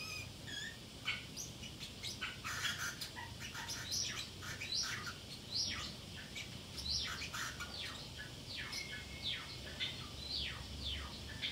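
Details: Home-kept Pacific parrotlet chattering alone while its owners are out: dense, continuous high twittering of rapid chirps, downward sweeps and short whistled notes, hardly pausing throughout.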